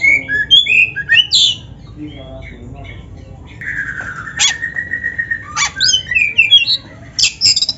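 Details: Black-breasted Oriental magpie-robin, a kept bird, singing a lively training song full of canary-style phrases: sweet varied whistles and trills, then a long steady whistled note near four seconds broken by sharp high clicks, ending in quick rising chirps.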